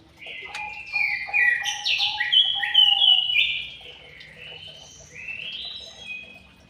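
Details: White-rumped shama in an aviary pouring out a long series of varied whistles and slurred notes, over lower repeated tones, easing into softer phrases toward the end.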